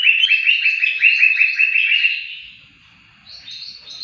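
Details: Greater green leafbird song, recorded as a model for training songbirds: a rapid run of about a dozen sharp, downslurred chirps at an even pace for two seconds, fading into softer, higher twittering notes.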